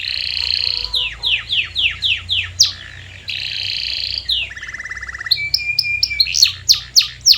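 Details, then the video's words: Canary song used as a lure to make silent canaries sing: rapid repeated downslurred notes, buzzy rolling trills and a low steady rattle, phrases changing every second or so. "Is Your Canary Silent⁉️🤫 Try This MAGICAL LURE for 5 Minutes!"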